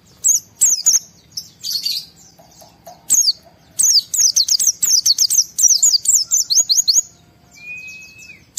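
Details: Highly excited white-eye in 'ngalas' fill style, used to draw other white-eyes into singing; scattered sharp chips building to a fast string of high downslurred whistles, then a lone thin whistle near the end.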